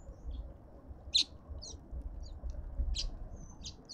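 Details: Cut-throat finches at a feeder in a suburban garden in Pretoria, South Africa, giving scattered short, high chirps spread across four seconds, over a steady low rumble of background noise.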